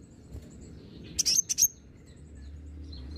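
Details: Olive-backed sunbird, local name kolibri ninja, used as a lure to make birds respond: a brief burst of four sharp, very high chips in the middle of an otherwise quiet stretch with low hum.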